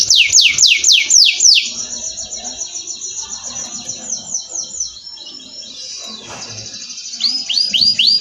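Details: Canary used as a master song for training other birds, singing repeated downward-sweeping whistles, then long fast rolling trills and buzzy notes, ending with quick rising-falling chirps.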